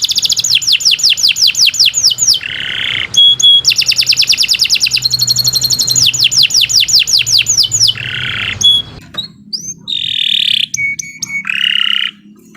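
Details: Canary singing continuously as a training lure, mixing fast falling whistle series, buzzy harsh phrases, pure whistled tones and rolling trills over a soft low hum.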